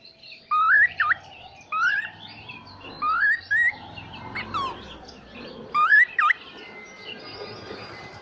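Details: Talking pet cockatiel giving a series of clear whistled phrases with upward slides and U-shaped dips, repeated irregularly about every one to two seconds, with light room noise behind.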